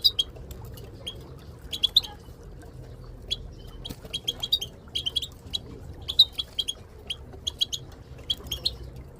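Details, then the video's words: Chattering of a group of Moroccan goldfinches with a female calling, meant to push quiet goldfinches into song: thin high chips in loose clusters, irregular and fairly soft, with steady low hum behind. "ترويض طيور الحسون بتبتات المقنين لتحفيز المقنين بتبت حسون للتدريب"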